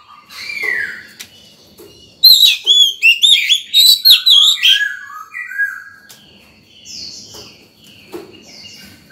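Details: Oriental magpie-robin, fired up in breeding condition, singing in the morning to call wild birds and train young birds; a loud fast series of clear ringing whistles, then softer descending warbles and chirps.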